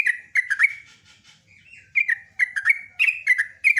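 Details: Sooty-headed bulbul in lively song: chirpy whistled note groups, a quieter thin warble in the middle, then renewed rapid bubbly phrases.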